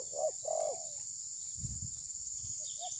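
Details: Spotted dove decoy used for bird trapping, recorded on a phone: two loud low hollow coos early on, then fainter coo notes, with a steady high insect whine throughout.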